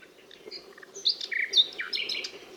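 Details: ['Nightingale singing a varied phrase of scattered high whistles, slurred notes and short clicks, louder and denser in the middle, over a quiet background.']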